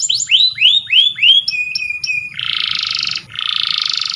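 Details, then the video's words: Canary singing a training song: repeated rising curved whistles, then short flat notes, then two long dense buzzy rolls, the second broken into rapid pulses. "Canary Singing _Canary's most powerful song for training"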